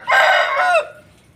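An Aseel rooster gives a brief, harsh, strained crow lasting under a second, ending in a falling note; the background is quiet.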